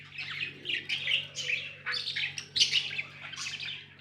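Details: Several pet budgies keep up continuous high chirping and squawky warbling in short overlapping phrases, with a steady low electrical hum behind.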